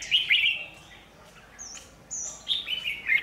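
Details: Red-whiskered bulbul, a lure bird at a trap set on power lines in Vietnam on 27 January 2019; bright, warbled high phrases with quick rising and falling notes, broken by a short pause, then more whistled figures.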